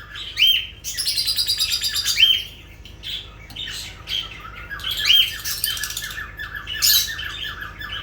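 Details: Lovebirds squawking: sharp chirps and harsh buzzy trilled bursts, then a run of rapid repeated squeaky notes.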